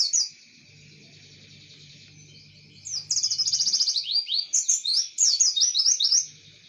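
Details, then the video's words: Javan white-eye singing in the Java sparrow imitation style known as tembakan gelatik: quiet hum at first, then from about three seconds a fast, loud run of high, sliding, whistled chirps and twitters, closely repeated, over a faint low steady hum. "Pleci Tembakan Gelatik || CHIRPING SOUND"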